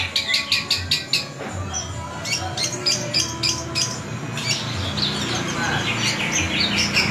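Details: Long-tailed shrike singing, a caged bird, with a rapid series of sharp clicking notes, then scratchy chatter and mixed whistled phrases at an uneven pace over steady low background noise.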